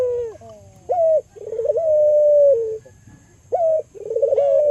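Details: Albino local Barbary dove acting as a lure for other doves. Low, mellow coos: a short flat note, a bubbling roll and a long, steady tone dropping at the end, heard twice with a quiet pause between.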